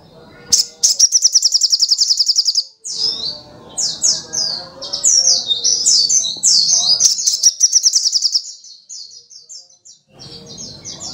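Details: Energetic high-pitched song from a brown-throated sunbird. A fast, even, buzzy trill gives way to jumbled sweeping twittering notes and a second rapid trill, over soft low rumbling background noise.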